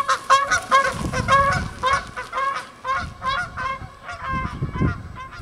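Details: Several Canada geese at a pond honking while taking flight, a dense chorus of harsh overlapping honks in quick succession, with low rushing and thumping sounds in the background.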